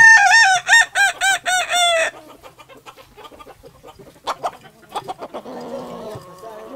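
A Kokok Balenggek rooster gives a melodious tiered crow of quick, ringing, evenly repeated syllables.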